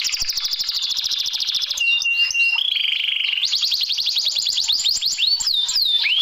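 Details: Canary isian, filler song meant to push a lazy canary into singing: fast high rattling trill, then flat sustained whistled tones at two pitches, followed by quickly repeated rising and falling sweeps.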